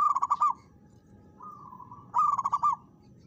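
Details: Local zebra dove challenging a rival, singing loud rapid pulsed coo phrases, one at the start and another after a quieter, even trilling coo, with a faint background hum.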